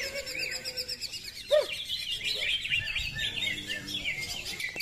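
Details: Greater green leafbird at a songbird contest with 15 hanging posts pours out a long, fast run of bright, high chirps and twittering phrases with hardly a pause; a faint whistle-like note sounds early on.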